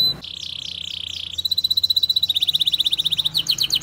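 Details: A canary, used as a lure to get young or silent canaries singing, sings fast, high, tightly packed trills, shifting from slurred phrases to rapid chip rolls of about four notes per second.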